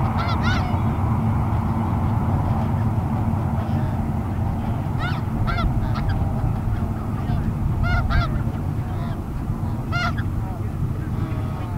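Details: Flock of snow geese disturbed by a noisy hovercraft in a Steveston, BC park, January 2019 afternoon: bursts of short barking honks, often in quick pairs, above continuous low-pitched engine and wind roar, with some voices.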